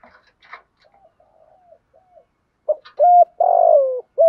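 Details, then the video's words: A spotted dove, a decoy bird with a fierce, fighting voice, gives soft, low, hollow coos, then a run of much louder, drawn-out coos in the final two seconds. "chim cu agys thúc gù giọng hay"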